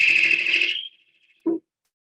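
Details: Great horned owl (Bubo virginianus) scream: a harsh, raspy screech lasting nearly a second, then after a pause one short, low grunting note.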